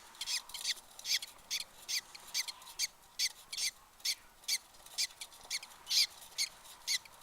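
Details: Two budgerigar chicks, 4 and 2 days old, give raspy, high-pitched chirps in a quick, uneven series.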